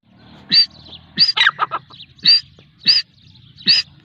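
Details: Female grey francolin uttering loud, hoarse single notes spaced about 0.6 seconds apart, with a short cluster of softer chattering notes between the second and third. Faint low background noise.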